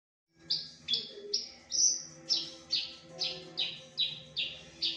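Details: A Horsfield's (Javan) bush lark sings a loud, varied series of high, buzzy chirps, about two each second, mimicking songs of other birds, over a faint low hum.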